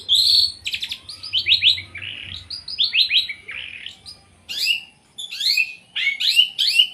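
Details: Long-tailed shrike in a loud, varied song with fills, fast descending buzzy notes in runs, then harsh chattering bursts and sharp squeaks, close and clean.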